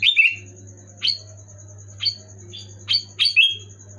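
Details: Loud, clear sooty-headed bulbul notes meant to get a reluctant caged bulbul singing: crisp falling chirps spaced about a second apart, some doubled, with a constant low electrical hum and a thin high pulsing tone behind.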